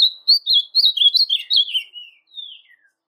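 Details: Song of a brown caged blue-black grosbeak, used to rouse a reluctant male: a quick chain of rich, slurred whistles that rises and dips, ending in a softer, falling note trailing away.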